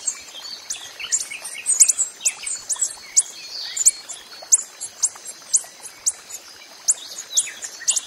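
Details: Wild coppery-headed emerald producing high, sharp tick calls at an uneven rhythm, amid a busy chorus of other chirping birds.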